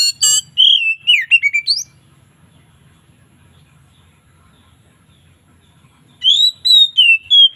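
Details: Oriental magpie-robin (kacer) singing a relaxed, loud ngeplong-style song with variations in the afternoon: bright whistled phrases with rapid, sliding notes and short chatters in bursts at the start and end, separated by a long quiet gap.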